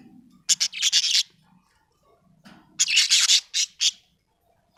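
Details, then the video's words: Budgerigar chirping happily, giving loud, harsh, scratchy chirp bursts in two clusters about two seconds apart, each of several rapid notes, followed by a single sharp chirp; a low faint murmur underneath. "happy budgie chirping sound"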